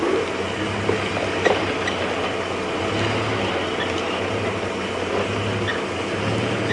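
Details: A vehicle engine idles and rumbles steadily throughout, with a few faint knocks and rattles.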